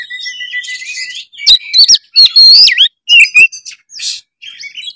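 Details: Kacer (white-rumped shama) singing loudly to spur other birds: a thin steady whistle, then rapid varied phrases of sharp chips, fluty slurs and rising-falling whistles, dense and energetic.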